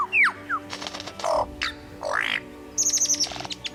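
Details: Superb lyrebird, a fully adult male, in Australian rainforest where young males gather to learn, runs through a varied medley: a sliding whistle, a quick rising sweep, then a bright burst of rapid, high repeated notes, with faint music underneath.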